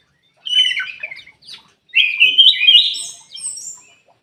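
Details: A Ruby-throated bulbul gives a lure song meant to coax silent caged birds into song. Two bursts of lively, slurred whistled warbling are separated by a brief pause.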